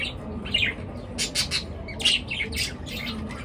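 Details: Morning chorus of birds with scratchy squawks and thin chirps in uneven groups, several loud noisy bursts separated by brief pauses.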